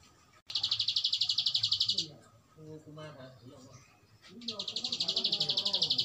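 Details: Two long 'ngebren' trills from a bar-winged prinia, each a quick, evenly pulsed high buzz lasting over a second, separated by a pause filled with low murmuring voices.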